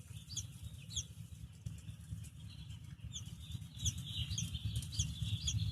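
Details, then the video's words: Baby chick chirping softly: short high peeping notes, singly and in quick pairs, scattered through the clip over a steady low rumble. "Soft Baby Chick Chirping"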